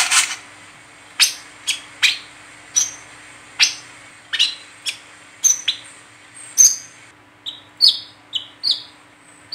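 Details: Lively Brown-throated sunbird chatter, the 'ngeriwik teler' style played to lure and train others: a steady stream of loud, needle-sharp chips, nearly one per second, ending in a quicker cluster of short high whistled notes.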